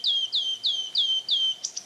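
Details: A wood warbler, a rare migrant likely passing through, picked up by remote wildlife microphones at RSPB Arne, Dorset, in spring 2024, sings a run of thin, high, downslurred notes, about three a second, ending in two brief sharper notes.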